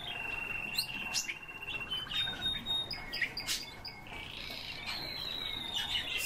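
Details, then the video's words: Soft, steady piping whistles from Eurasian bullfinches filmed from about ten centimetres, held tones alternating with brief clicks and taps, several notes per second. "Pyrrhula pyrrhula- СНЕГИРИ"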